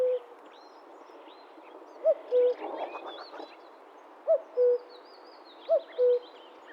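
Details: Common Cuckoo (Cuculus canorus) in the wild repeating its two-note falling 'cu-coo', three full pairs after a brief rustling burst of noise, with thin high whistles of other birds in the background.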